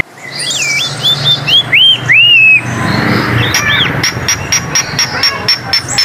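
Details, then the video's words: Coleto (Sarcops calvus), a starling of the Philippines: loud, clear whistled notes that sweep up and down in arcs, then a fast, steady run of sharp metallic clicks at about four per second, with a low rumble underneath. "COLETO / KULING SOUNDS"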